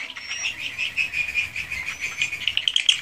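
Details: Swiftlets in a swiftlet house, original recording: a softer, steady high twittering with short clicking chirps and a few thin, pure whistled notes gliding across the top, growing busier near the end.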